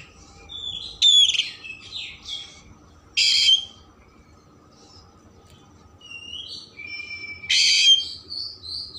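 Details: Oriental magpie-robin singing a varied 'isian mewah' filler song for rousing emotion and tail spreading: sharp whistles and chattering notes, a loud grating burst, quiet gap, then upslurred whistles ending in another harsh rasp.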